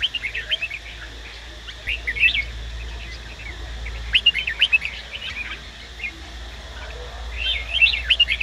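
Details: Red-whiskered bulbul male in training, sung up by a female: fainter clusters of quick warbled notes with quieter gaps between, stronger bursts near two, four and eight seconds, over a low hum.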